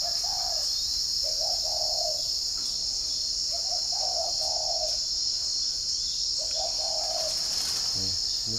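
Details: Spotted doves in the morning at a bird garden in Ba Vì, Hanoi, Vietnam. Three low coo phrases are spaced a few seconds apart under an intense high insect drone, and a brief low sound follows at the end.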